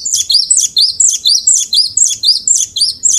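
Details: Cinereous tit song serving as a singing model: a steady string of high, slurred twittering phrases repeated about twice a second, with no other sounds.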